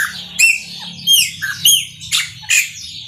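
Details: Chopi blackbird singing in the Maranhãozinho style: loud, clear whistled notes with bright overtones, some arching and some dropping sharply, spaced about half a second apart over a steady bed of high chatter.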